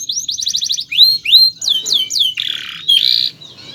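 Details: Canary long training song: a rapid repeated chirp series, several rising and falling whistled slurs, then two short buzzy rattles and a last faint whistle.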